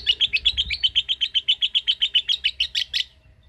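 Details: Lovebird chattering in its ngekek trill, about twenty sharp, buzzy notes in quick regular succession over three seconds, then falling silent.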